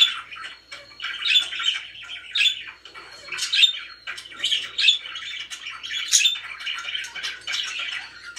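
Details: Pet budgies in a happy mood producing a steady flow of buzzy chatter and twittering chirps, brighter whistled accents every second or so, quiet surroundings.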